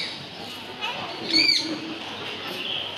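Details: Green Eclectus parrot, which says hello and bye bye, gives one brief, loud, curved harmonic vocal sound midway through, surrounded by quiet hiss and faint low murmurs.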